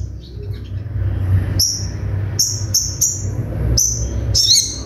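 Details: Sunbird song for bird training, with sharp shots: scattered very high, thin, piercing notes repeated every half second or so, closing with a quick twittering flourish above low background noise.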